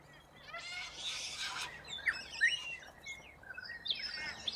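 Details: A large flock of corella cockatoos feeding on root grass in Australia. A long, rough, broadband screech comes first, followed by scattered short squawks and chirps from the birds as they forage.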